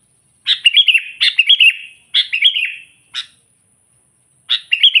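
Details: Lively sooty-headed bulbul song meant to provoke wild rival bulbuls: quick, liquid phrases of three or four bright notes, one after another, then a short chip and a pause before another phrase.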